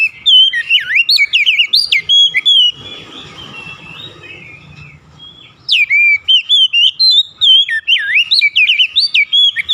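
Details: Oriental magpie-robin song made of rich, varied whistles with swooping, rising and falling notes in fast phrases, broken by a short pause of softer noise before the loud singing resumes.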